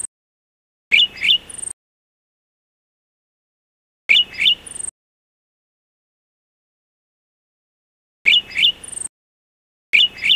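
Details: A Golden-headed Cisticola (subspecies Cisticola exilis volitans) gives a short buzzy phrase of sharp clicking notes ending in a thin high note, repeated about every four seconds with silence between.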